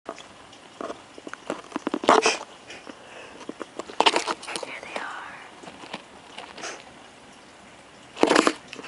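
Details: A shy male cockatiel guarding five eggs turns aggressive and attacks, giving harsh, breathy hissing bursts, with a person talking softly nearby.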